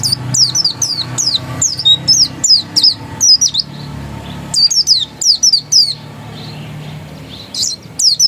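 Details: Oriental white-eye, dakun type, delivering ngotot song: chains of high, thin, falling whistles repeated in quick succession, fading to a pause before a few final notes, over a faint low hum.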